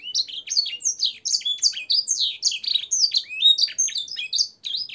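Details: Canary song used for training caged birds, filled with blackthroat and sanger phrases; loud continuous stream of high, slurred whistles and twittering notes, rising and falling rapidly, with a short break near the end.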